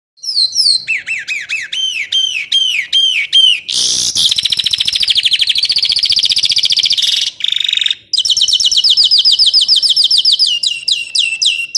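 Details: Songbird in a master recording made to teach contest birds special filler phrases; a run of clear downslurred whistles, then a dense buzzy trill, a brief break, and a fast rattling high trill.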